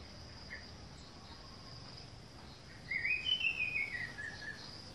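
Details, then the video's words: Orange-headed thrush singing in a garden: a short phrase of clear whistled notes, sliding and gently falling, over a steady high insect hum. "Kicauan anis merah di kebun"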